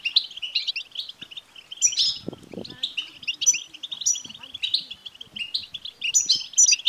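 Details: European goldfinch btbta, a stimulating song for a male goldfinch. Lively rippling twitter with repeated high buzzy bursts. A brief low rumbling sound intrudes about two seconds in.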